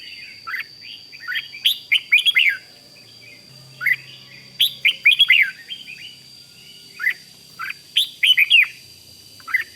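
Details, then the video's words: Red-whiskered bulbul singing in the 'rik' style, used to excite other bulbuls: short bubbly whistled phrases in bursts of four or five notes, about every two to three seconds, over a steady thin high whine. "เสียงนกกรงหัวจุก ร้อง ริก ยั้วให้นกคึกดีมาก"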